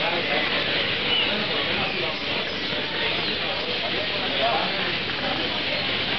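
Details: A large flock of starlings in Plaza Trinidad gives a dense, continuous wash of chatter: countless overlapping squeaks, clicks and buzzy notes, with a faint hum of other noise beneath.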